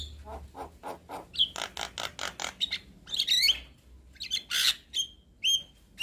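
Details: A white-eyed Javan myna bobs its head while giving lure chatter for a myna that stopped singing; even pulses of gruff notes, then loud grating squawks and clear rising whistles.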